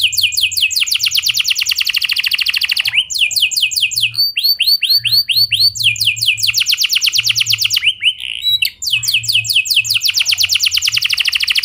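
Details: Canary in continuous rolling song used as a prompt for other canaries: long rapid trills of repeated notes broken by short series of slower arched whistles, returning to fast trills.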